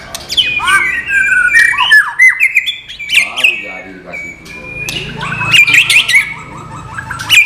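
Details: White-rumped shama giving murai batu isian material without bubbling: sweeping whistles and sharp scratchy notes, a brief pause, then a burst of rapid rattling trills and clear piping phrases.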